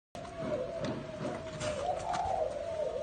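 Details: Spotted dove, one of a pair of local 'cu ta' doves in Nam Định, Vietnam, 18 April 2022: low hollow cooing notes over a steady droning tone, with background clicks and faint voices.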